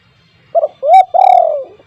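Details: Loud-voiced spotted dove used as a lure: one three-part call, with a short doubled note, a rising coo, then a long, mellow, gently falling coo in a quiet setting.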